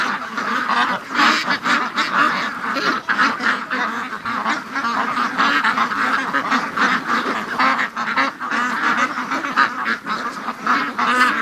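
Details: Flock of free-range ducks during the morning rush, a busy chorus of quacks that surges and dips, with many short harsh calls overlapping across the whole stretch.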